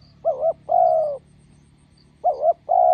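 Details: A spotted dove decoy meets a wild bird beside a roadside and gives two loud cooing phrases. Each opens with a wavering double note and runs into a long, smooth, low coo.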